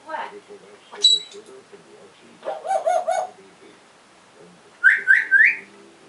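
An African grey parrot gives voice-like talking phrases, a sharp high whistle, and then three quick rising whistled chirps in a row.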